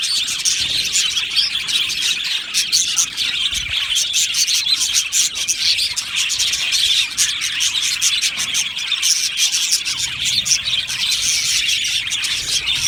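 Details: Budgerigar colony in an aviary, singing and chirping at length: unbroken, scratchy high twittering, many overlapping voices holding an even level.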